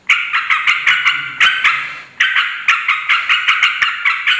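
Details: Sooty-headed bulbul giving noisy, agitated calls used as a lure to provoke other bulbuls into answering: harsh, rasping chattering notes in a rapid series, about four per second, one short pause midway.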